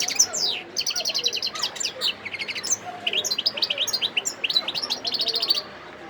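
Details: Wild European goldfinch in Sidi Bel Abbes, Algeria, December 2021, delivering a sustained song of rapid tinkling twitters, repeated chip notes and short buzzy trills, fading into quiet at the end.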